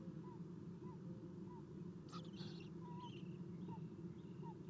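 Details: Owlets of Eastern Screech-Owl, fed at the nest on a nest camera early morning, 11 April 2016: faint short whistles recur about every half second, one loud raspy hiss burst midway, steady low hum throughout.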